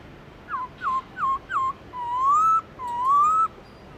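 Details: Black-throated laughingthrush in wild-voice song: four quick, clipped downslurred whistles, then two long, smooth rising whistles, all loud and pure-toned against a quiet background.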